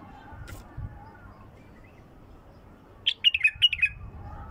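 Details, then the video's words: Bulbul song phrase from a pure-voiced bird: after near silence, a rapid run of about six clear chirping notes near the end, with a faint low hum underneath. "اجمل مداور لغات بلبل خام حنجره نقيه"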